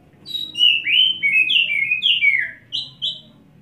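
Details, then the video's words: White-rumped shama in a cage after a wet bath sings a steady flowing phrase of liquid whistles, notes sweeping up and down, closing with two clear level notes over faint low background hum. "Kacer Satu Titik Tahan Ngobra Muntah Isian"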